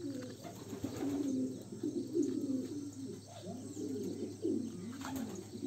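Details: Homing pigeon chicks in a loft give low, soft coos and throaty murmurs, overlapping and repeated throughout, with faint squeaky notes and a steady background hum.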